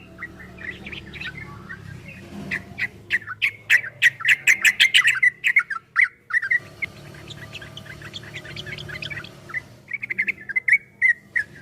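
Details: A yellow-vented bulbul in a 2023 recording of the long 'ropel' song, played to prompt replies: busy warbling builds to a fast run of sharp chirps, then fades into softer phrases over a constant low hum.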